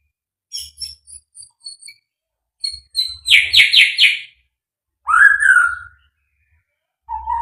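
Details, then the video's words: White-rumped shama, a fighter bird in full song material: high thin chips and whistles, then a burst of rapid buzzy notes, a loud rich rising-falling whistle, and a lower whistled phrase at the end. "burung murai batu fighter full materi"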